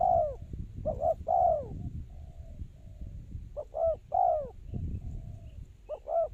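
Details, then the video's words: Spotted dove used as a lure for trapping, giving three cooing phrases. Each is two short hooted notes and then a longer, downward-slurred coo, with low rumbling background noise throughout. "Tekukur pikat,Bẫy cu gáy bằng mồi"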